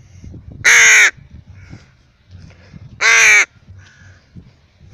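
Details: Two rasping, drawn-out caws from a pet rook being taken for a walk, roughly two seconds apart, over faint rustling and footsteps.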